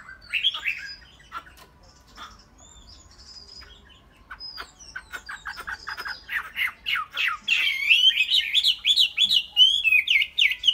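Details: Chinese hwamei kept as a tame cage bird: a brief whistle, a quiet stretch of faint notes, then rapid chattering that builds into a loud, fast, wavering whistled song.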